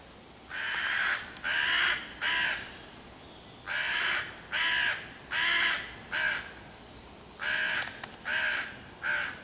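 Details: Loud hooded crow harassing five young raccoons waiting in a tree by their nest hole, 11 June 2023, cawing to chase the predators and call other crows to attack: about eleven harsh, raspy caws in irregular quick bursts.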